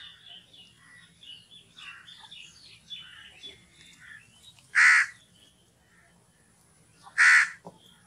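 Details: Crow giving two sharp, loud caws a couple of seconds apart, after a stretch of busy chirping and twittering from smaller birds over a faint low hum.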